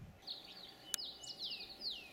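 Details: Atlantic canary, perhaps several, in Tenerife pine forest at a picnic site, twittering in bright, high, rapid runs of chirps and descending slurred notes, with one sharp click midway.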